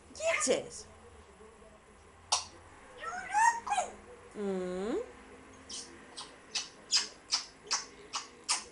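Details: African grey parrot mixing a falling whistle, chattering harmonic notes, a drawn-out nasal wavering call, then a regular run of sharp clicking or tapping sounds about every half second.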